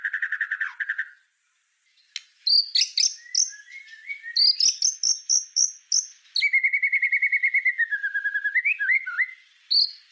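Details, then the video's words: White-rumped shama song meant for tutoring other songbirds, rich in rapid bursts: a buzzy trill, a short pause, a loud run of clipped high notes, then a long rattling trill sliding down and rising again. "Suara Masteran Murai Batu Full Tembakan"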